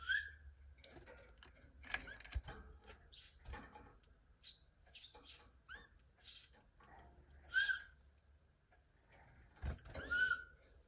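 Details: Canary giving short bright chirps and brief whistled notes in loose bursts every second or two, some notes swooping downward, with soft rustling and clicking between them.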